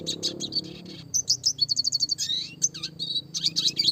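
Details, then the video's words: Red siskin singing a classic, lively, clear training song of the roll tembak style, fast and tight: dense high chirps, a quick run of evenly repeated sharp notes, then a slurred whistle near the end. "burung red siskin klasik gacor suara jernih masteran burung kecil variasi roll tembak"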